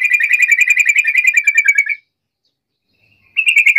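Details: Yellow-vented bulbul lure meant to draw a rival bird into answering: a fast run of rattling, buzzy pulses lasting about two seconds, then silence, then another chattering burst starting.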